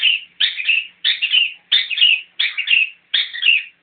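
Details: Long-tailed Shrike, a freshly caught bird, giving rough chattering phrases, each a short grating burst that drops in pitch, repeated steadily about every two-thirds of a second.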